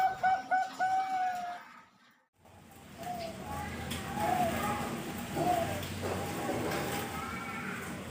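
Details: Captive-bred zebra doves, a male and two offspring hatched 31 March 2022, from a bird farm in Pasuruan, East Java, Indonesia: a quick series of clear, tonal cooing notes for about a second and a half, then a pause and quieter, noisy background with faint notes.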